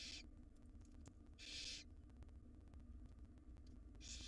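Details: Barn owl nestlings, wild, begging while their mother feeds them a jird: three hoarse hissing screeches, the loudest in the middle, separated by gaps of over a second, with low hum throughout.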